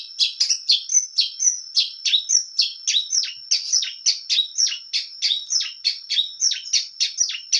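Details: Long-tailed shrike singing vigorously: a rapid regular series of short downslurred chirps, about three or four each second, each sharp and scratchy, with a thin steady high tone running underneath.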